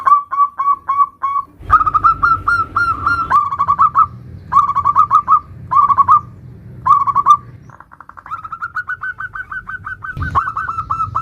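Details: Zebra dove of local stock in a varied 'nutut' song, intended as a lure for other zebra doves: repeated bursts of soft rapid coo notes with short gaps, closing with a long steady trill; faint low hum in places.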